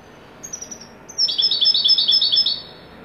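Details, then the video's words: European goldfinch song in the style called wedani: a few soft high notes, then a rapid run of bright, tinkling twittered phrases repeated about twice per second, then stopping abruptly. "تغريد حسون ويداني"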